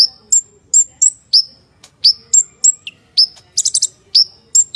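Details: A purple-throated sunbird, called konin, singing a rough 'tembakan kasar' style full-isian song: repeated high whistles that sweep downward, short sharp chips, and one dense buzzy burst late in the sequence, delivered about once per second.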